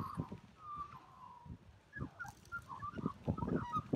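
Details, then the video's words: Melodious call of an Australian magpie: a drawn-out whistled note that slowly falls, then a quicker string of gurgling, fluty warbles over low thumping background noise. "Australian magpie's melodious call"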